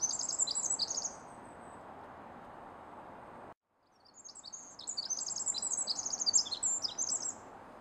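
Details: A Pacific wren in forest undergrowth near a road pours out long, very high, rapid tinkling trills in bursts, over a steady rushing background like a nearby stream.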